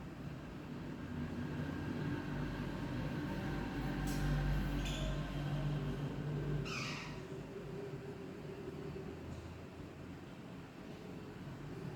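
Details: A low, steady rumble of a train or vehicle interior fills the recording, with a few brief clicks and hisses. No animal voice stands out.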